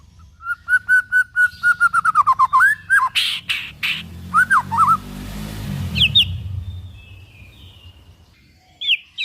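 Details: White-rumped shama (murai batu) song, played to stimulate other shamas to sing: a run of about a dozen clear, evenly spaced whistled notes, then slurred whistles and harsh rasping bursts, with a low rumbling hum beneath.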